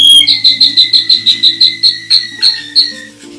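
A canary sings a fast run of about a dozen high, bright chirped notes, roughly four a second, slowing slightly at the end, over a faint low hum.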